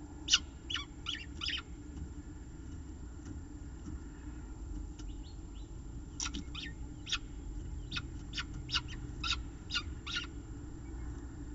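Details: Peregrine falcon at a nest with food, 5 October 2018, mid-afternoon: bursts of sharp, abrupt chipping notes, a quick run of four, a pause, then a longer rapid series, over a low steady hum.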